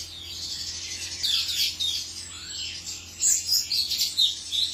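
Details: Male cucak cungkok warbling in high, squeaky chirps, softer at first, then louder clustered bursts in the second half over a faint hum.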